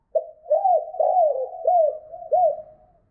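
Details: Spotted dove calling to a hen: four loud, arched, mellow coos spaced under a second apart over a steady low hum of voice.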